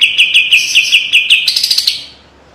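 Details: Kapas tembak white-eye pouring out a tight, sharp trill used as master song: evenly spaced high chirps quickening into a dense buzzy flurry before fading out.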